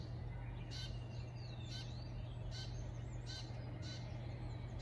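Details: Morning sparrow calls recorded around 07:35 in Shikokuchuo, Japan: scattered thin chirps roughly every second, quiet against constant low-pitched mechanical hum and background noise.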